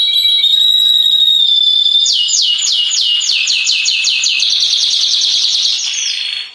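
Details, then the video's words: Orange canary singing in 2023: a steady high whistled note that breaks into a fast rolling trill of repeated sweeping notes, then a buzzy sustained tone, loud and close. "singing video canary orange the most special canary 2023"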